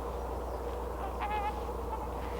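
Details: Distant trumpeter swans, a flock passing over a homestead garden, give one brief, nasal, horn-like honk midway through, over a steady low rumble.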